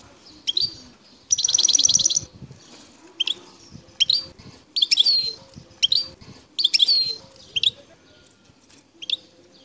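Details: Song of a wild goldfinch, El Tarf sector, Bouteldja, Algeria. A rapid buzzy trill is followed by a string of sharp, tinkling chirps and twittered notes at varied intervals, with faint background hum.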